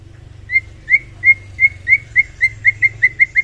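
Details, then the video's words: White-rumped shama in the morning, singing to rouse fighting spirit: a single sharp whistled note repeated about three times a second, speeding up slightly, with low background hum. "OCEHAN MURAI BATU PASTOL AGAR MENAIKAN EMOAI DIPAGI HARI, MENAIKAN FIGHTER BURUNG MURAI"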